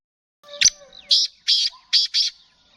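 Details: Black francolin (kala teetar, Sheedi strain) delivering a harsh five-note call: a sharp first note, two drawn-out rasping notes, then a quick double note, with a faint whistle beneath.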